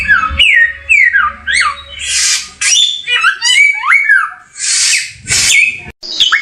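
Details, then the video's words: Samyong bird delivering clear, pure whistled notes that slide downward, interspersed with raspy bursts, brief pauses between phrases, and faint low background hum. "Mastran burung samyong"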